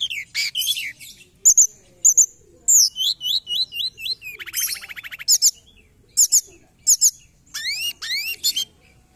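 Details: Lure recording of a forktail, called tledekan gunung: rapid varied chirps and looping high whistles, a buzzy harmonic trill in the middle, then sharp repeated upswept notes.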